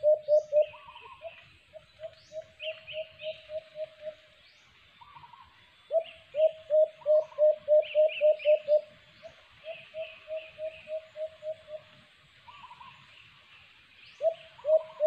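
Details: Alimokon, or white-eared brown dove, heard during trap hunting. Repeated bursts of rapid low coos, each loud then fading, are separated by pauses. A steady high insect buzz and other birds' short chirps run throughout.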